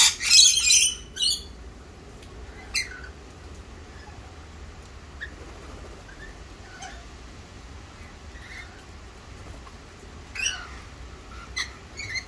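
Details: Wild rainbow lorikeets in Australia: a loud harsh screeching burst at the start, then scattered shorter squeaky and chattering notes across several seconds, with steady low background rumble.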